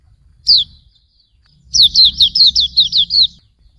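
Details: Hume's white-eye, pleci auriventer, tutor song: a single high chirp, a pause, then a quick run of about eight bright downward-slurred notes, low rumble beneath.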